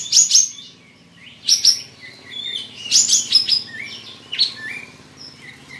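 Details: Pet Olive-winged Bulbul from Singkawang, West Kalimantan, performing for an online bird contest delivers lively chirping phrases of sharp high notes mixed with lower slurred whistles, in bursts roughly every second or two over a faint hum.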